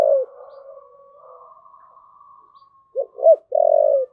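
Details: Spotted dove thúc gù: the tail of a coo fades into a long faint steady hum. The bird then delivers two short rounded notes and a long, level low coo.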